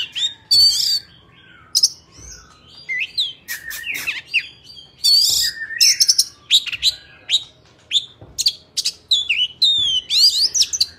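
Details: Oriental magpie-robin singing wild forest style, a file for training young birds' voices: bright whistled phrases, sweeping chirps and sharp clicks in rapid bursts, loud and varied throughout.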